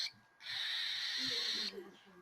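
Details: A hungry, recently fed cockatiel chick, described as sounding like a dinosaur, gives a harsh, raspy, hissing begging cry lasting just over a second, with a quick rasp before it and faint low murmurs after.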